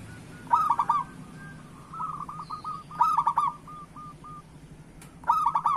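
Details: Zebra dove, local bird, singing to prompt silent or moulting doves to sing: vibrant trilled coo phrases roughly every two and a half seconds, each trailing into soft, evenly spaced notes, one brief click, with a faint hum beneath.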